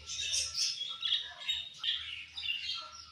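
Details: Budgies warble and chirp in quick, overlapping phrases of squeaky, whistled notes, rising and dipping about once or twice a second over a faint low hum.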